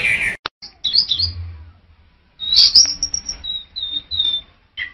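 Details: Orange-headed thrush, male, producing sparse high whistled notes: a short burst, a pause, then a run of clear, slightly descending whistles ending in a brief lower note.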